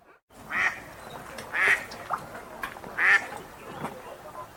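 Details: Lakeside wild ducks giving three scattered, softer quacks with uneven gaps, set against a low, breezy ambient background.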